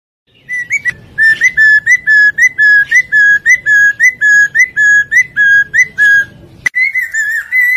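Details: Lesser necklaced laughingthrush song used to lure birds for trapping: a fast series of clear whistled notes, about two per second, each with a short upward flick, then a brief pause and a final slurred whistle.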